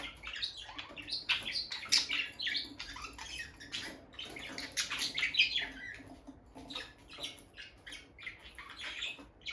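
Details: Bonded pair of pet peach-faced lovebirds near their nest box, female entering and leaving it: dense, overlapping shrill chirps and squeaky twitters, rapid and irregular, no talking or music.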